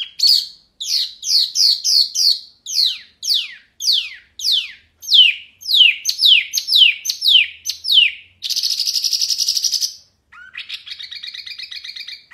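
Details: Wambi Mini hwamei in constant loud, clear song used as a masteran tutor: a long series of sharp descending notes, then a harsh buzzy rattle and a softer rasping chatter.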